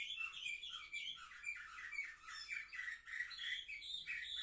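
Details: Indoor young canaries aged seven months, recorded 10 November 2023: steady, busy song of rapid chirping notes and rough rolled syllables, unbroken for the whole stretch.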